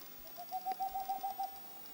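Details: Boreal owl delivering one complete burst of about nine soft, rapid hoots. The notes sit on a single steady pitch and grow slightly louder through the run, over a quiet background.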